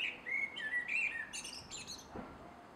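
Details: Male blackbird at dusk in a garden, 3 July 2016, sings a smooth descending run of fluty whistles that breaks into shrill high chittering notes, followed by a faint low thud.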